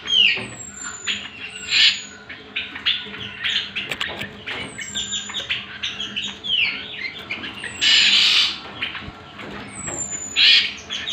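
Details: Greater green leafbird song used as a lure and master recording for training other birds: a dense run of bright, varied high whistles, rapid chirps and downward-sweeping slurs, with a loud burst near eight seconds and faint background hum.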